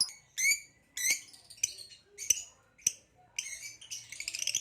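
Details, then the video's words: Green hybrid male Nyasa lovebird and a Lilianae in captivity give spaced harsh chirps and clicks, then a quickening high chatter. "Green Hybrid and Lilianae Nyasa Lovebird Singing & Chirping Sounds"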